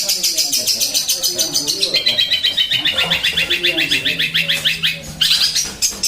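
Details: Sparrow giving a fast, steady series of high chirps, about four per second, with faint low voices and a soft quacking-like sound underneath.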